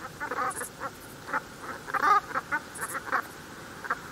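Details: Brent goose flock, a mallard-sized dark goose of the coast: many gruff, honking notes tumbling together, loudest in the middle, with quieter calls trailing off and a steady hiss behind.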